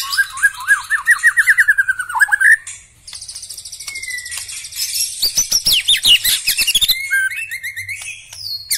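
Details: White-rumped shama with black legs singing: a rhythmic run of rising whistled notes, then a steady whistle, rapid high trills and harsh rattling bursts.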